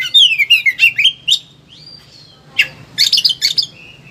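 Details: Oriental magpie-robin in high excitement, singing material used for training lazy birds: a fast cascade of falling whistled notes, a long thin slurred whistle, then clustered harsh chattering bursts ending in a steady whistle.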